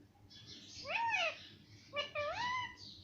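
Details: Pet parrot imitating human words, said to speak 'mummy' and 'papa': two voice-like, harmonic syllables, the first arching and falling, the second shorter and rising then level, in a quiet small room.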